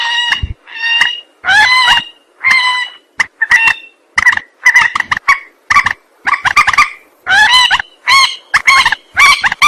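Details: Trapping lure of a rail. Varied harsh, nasal calls, some sliding and wailing, others short and clipped, follow one another in an uneven rapid chorus for nearly ten seconds.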